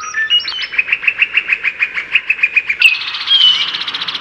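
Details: Brown-headed cowbird male courting a female with a display in spring 2024, Cook County, Illinois, while the female takes a cicada. A fast rattling run of about fourteen even chips ends in a sharp, thin high whistle and then a buzzy trailing note.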